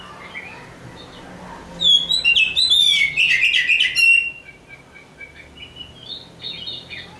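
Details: Oriental magpie-robin, a champion songbird: after faint background, a burst of rapid, complex chattering and sweet whistles lasting about two seconds, then softer rising and falling whistled notes.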